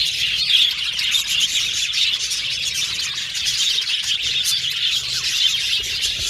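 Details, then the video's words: Many budgies in an aviary colony chirping together, a continuous high twittering mass with short clicky notes and a few brief louder chirps early on. "Budgies Birds Natural Sound | Budgies Chirping Sound | Budgies Singing Sound"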